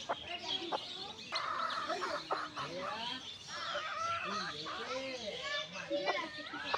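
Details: Newborn backyard chicks giving dense, overlapping high peeping calls, many short arched chirps repeated rapidly throughout, with lower clucking-like notes from other fowl mixed in.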